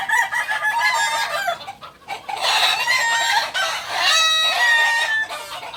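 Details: Crowing of an indigenous kukuak balenggek chicken from Solok, West Sumatra: loud, rich, harmonic phrases with wavering held notes, rising and falling in overlapping bursts, with a brief dip in the middle before a final sustained stretch.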